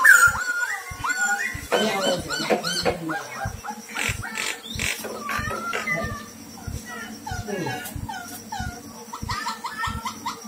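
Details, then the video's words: Black-throated laughingthrush used as a trapping decoy gives loud, clear whistled phrases of rising and falling slurred notes, repeated in quick runs, over a steady low ticking and some background noise. "Khướu bạc má hót hay, khiếu bạc má mồi bẫy"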